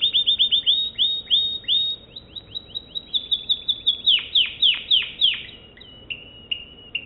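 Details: American Singer canary giving crisp, repeated chirps that turn into deep, swooping downward notes, then ending in short, steady whistled tones.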